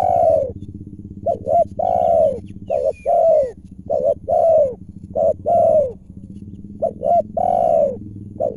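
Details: Wild spotted dove calling during a luring and trapping session, its voice described as big and full; low, arched cooing notes come in short groups of two or three with brief pauses between them, over a steady low hum.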